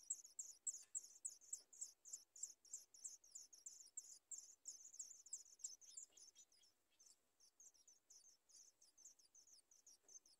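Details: Sooty chat chicks at the nest begging for food: a fast series of thin, very high-pitched squeaky notes, about three per second, continuing steadily and fading slightly toward the end.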